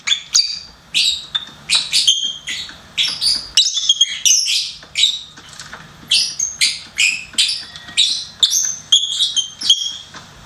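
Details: Pet lovebird singing and chirping: a dense run of sharp, high, harsh chirps and squeaky notes, roughly two or three per second, with little pause between bursts and a quiet room background.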